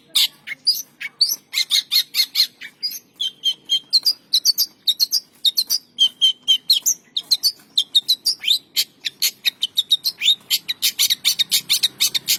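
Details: Long-tailed shrike singing in the morning in Indonesia: a fast, continuous stream of sharp, high chirps and short whistled slurs, some notes rising or falling, packed several per second, with a quiet background.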